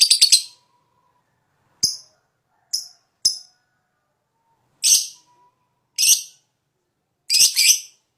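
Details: Fighter lovebird in high breeding condition, lure song: scattered short, harsh, high chirps, single or in quick doubles and triples, with silent gaps of about a second between them.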